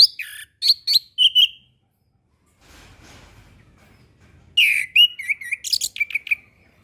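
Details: Orange-headed thrush song used as a tutor recording for young birds learning to sing. Two bursts of clear whistled phrases with rising and falling notes and sharp chips, split by a quiet pause with faint low rumble.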